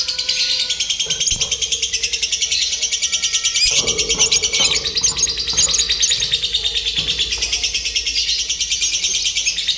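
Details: Lovebird being trained for singing competitions with a simulated contest produces nearly ten seconds of dense, buzzy, high-pitched chatter pulsing about three times per second, with faint knocks and low hum behind.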